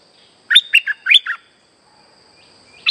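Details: Streak-eared bulbul calling as a trapping lure: a single rapid run of five clipped, bouncing chirps, then near silence apart from a steady faint high-pitched hum, and a new note starting at the end.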